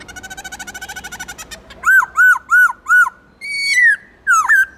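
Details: Black-throated laughingthrush in captivity, many-voiced forest-style song: a fast pulsed chattering run, four evenly spaced arched whistles, then a long wavering falling phrase and quick slurred notes.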